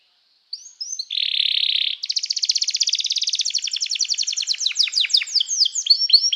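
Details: Canary singing to call other canaries and to train them: a few short rising whistles, then a dense buzzy trill, followed by rapid rolling chirps that slow into sweeping, slurred notes.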